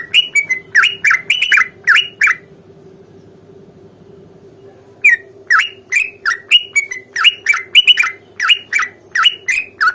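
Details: Sooty-headed bulbul in long rapid-fire fighting song, meant to make another bulbul reply; a quick run of bubbly chattering notes, a silent gap of about two and a half seconds, then an even longer dense burst.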